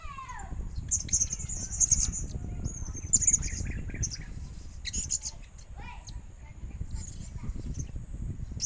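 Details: Tame one-year-old blue-crowned hanging parrot, hand-raised as a pet from a chick, uttering sharp, piercing high squeaks in uneven clusters. A few faint mid-pitched notes are heard, with steady low rumbling noise in the background.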